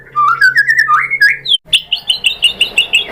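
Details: White-rumped shama (murai batu) song used to provoke other shamas to answer: a run of rising slurred whistles, a short pause, then a steady series of clear whistled notes repeated about four times a second.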